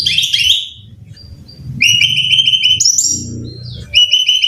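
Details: Training song of a brown-chested jungle flycatcher for caged birds: high bursts open, then a quick run of evenly repeated sharp notes and shifting whistled trills over a soft low hum.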